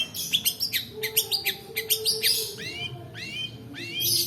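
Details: Long-tailed shrike, recorded as a lure to get reluctant birds singing and to tutor others in the long 'roll' song: a rapid run of short chips, then clear rising whistled phrases, over a steady faint hum.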